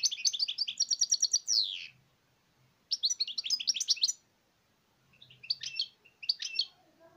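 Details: European goldfinch delivering a long, rapid, tinkling twitter that ends in a falling slur, then a second busy phrase after a pause, and finally a few scattered short chirps, with faint low background sounds.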